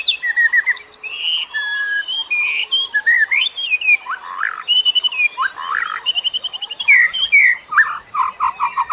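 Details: Bird song used to lure other birds: a continuous, varied medley of whistled phrases, some steady and some slurred, broken by rapid trills and ending in a series of short, repeated lower notes.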